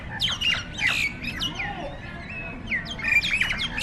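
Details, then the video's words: Jalak nias starlings battling each other. Bursts of raspy squawks and short whistled slurs come in two clusters, separated by a brief quieter gap of softer notes. "Burung Jalak Tarung Burung Tarung Kroyokan"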